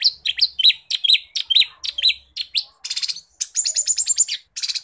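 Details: Lesser green leafbird in a rapid, varied song recorded as a tutor recording for other birds: sweet high whistled notes alternating with harsh buzzy bursts, about two phrases per second.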